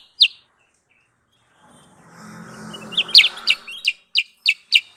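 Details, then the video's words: Sooty-headed bulbul lure call used for bird trapping: a single sharp note, a pause with a soft murmuring background, then a series of short, bright, descending whistled notes repeated several times. "Suara pikat Burung Kutilang sutra"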